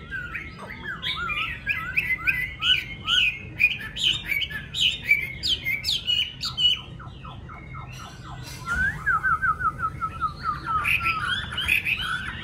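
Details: Chinese hwamei, yellow-billed form, kept as a cage bird: varied warbling phrases give way to a run of short clipped notes, then a long flat whistle and renewed chattering song.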